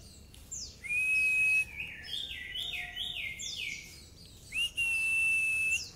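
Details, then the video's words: Pleci song for masteran: a long, steady, thin whistle held for nearly a second, then a string of quick descending slurred notes, and a second sustained whistle near the end. "masteran pleci nembak cerrrrr wit wiiit"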